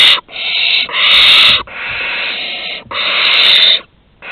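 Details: Barn owl chicks at a Théding nest entrance on 15 August 2020, around prey deliveries: long, drawn-out hissing screeches lasting over a second each, following one another almost without pause, then silence.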